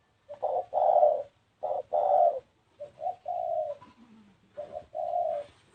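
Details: Spotted dove cooing in paired phrases: a short note then a longer loud coo, repeated, followed by softer coos; a faint low sliding sound appears briefly in the middle.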